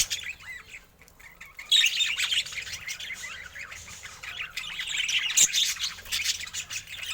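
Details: Budgies chattering; quiet at first, then a sudden loud bout of shrill chirps and warbled twitters that continues steadily to the end.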